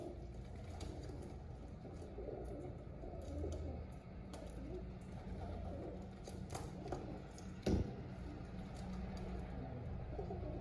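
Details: Several pigeons, described as happy, cooing together in a dense low rumble of soft overlapping notes, with a sharp knock partway through.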